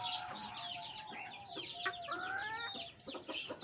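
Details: Fancy hen giving sharp, high clucks and squawks among a crowd of chirping birds, with a few drawn-out whistled notes woven through the busy chatter.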